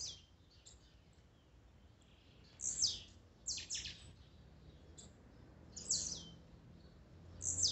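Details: Several blue-black grassquits singing in a warm-up mix with 'macheados' to rouse a kept bird: short high buzzy notes spaced irregularly, some dropping sharply in pitch, with quiet stretches between bursts.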